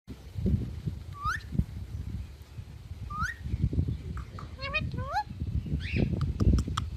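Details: Pet ringneck parrot giving a few short rising whistled squawks, spaced irregularly, over steady low rumbling household background noise.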